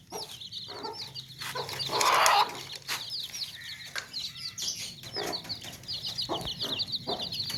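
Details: Crowd of baby chicks in a tokri basket chirping constantly in thin, high peeps; a loud harsh clucking burst near two seconds, with scuffling and handling sounds throughout.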